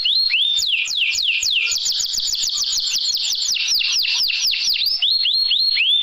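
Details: Canary song offered as an 'isian' (fill-in) recording to prompt lazy, silent canaries into singing; a loud, continuous rolling run of rapid whistled sweeps, each sliding down and back up, strung together almost without pause.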